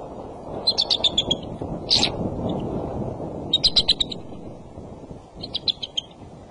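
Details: On the nest at 4:34 pm on February 24, a male eagle gives plaintive cries and trills: stuttered runs of high chittering notes and one sharp cry, repeated several times against heavy wind rumble.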